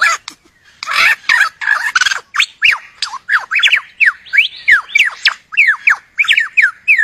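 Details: Superb lyrebird (Menura novaehollandiae) courting a mate: harsh, rasping squawks give way to a fast, loud, varied run of clear, downward-slurred whistles, about three per second.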